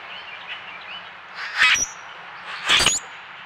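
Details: Common Grackles at a backyard feeder on trail camera, puffing up in close-up display, give two harsh, rasping bursts about a second apart, each ending in a thin, high, squeaky whistle; faint chirps in the background.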